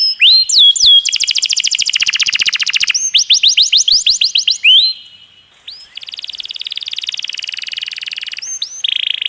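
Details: Canary song for training other songbirds, with a water-trickle effect added, in the long-roll 'roll tembak' style: rapid rolling trills of rising whistled notes, a brief quiet gap, then buzzy sustained rolls and upslurred whistles.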